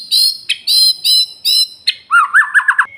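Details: Male white-rumped shama singing: repeated loud buzzy high notes, then a rapid run of lower, rolling whistled notes going up and down.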